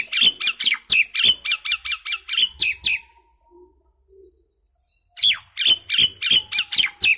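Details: Common myna, called Indian maina, gives harsh, squawky notes in fast runs of about four per second for three seconds. After a two-second gap, a second run of the same rasping, repeated notes starts.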